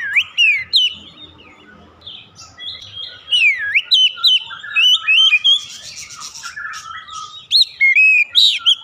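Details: Oriental magpie-robin song for luring others: varied whistled phrases with dips and rises, quick chattering notes and scratchy bursts in the middle, loud bright notes repeated at an uneven pace.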